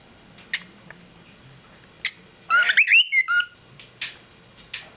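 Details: Pet bird singing its nightly serenade at home: scattered short chirps, then a burst of rapid, rising and falling whistled notes, followed by more isolated chirps.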